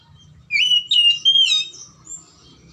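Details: Oriental magpie-robin song meant to coax a silent kacer to sing: one continuous phrase of sweet, fluting whistles rising and falling, ending in a thin high note.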